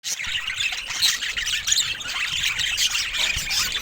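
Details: Budgerigars kept as pets chattering, a dense, continuous stream of high, scratchy warbles, squeaks and chirps overlapping without pause, like several birds calling at once.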